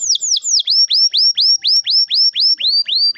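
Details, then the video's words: Canary with a long rolling song meant to coax young birds into singing: a few high falling notes, then a steady series of rising whistled upslurs repeated about four times a second, clean with no background. "kenari gacor ngerol panjang ini 100% ampuh buat PANCINGAN KENARI paud belajar bunyi/malas bunyi"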